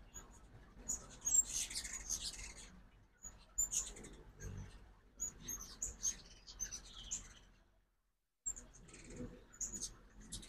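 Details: Ruby-throated hummingbirds at a feeder in Oxford, Mississippi, on a morning during fall migration: high, thin chips and squeaky twitters come in scattered bursts, with a brief lull near the end.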